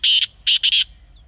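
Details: Kala teetar, or black francolin, wild in Pakistan: three loud, harsh, scraping notes, the first drawn out, the last two close together.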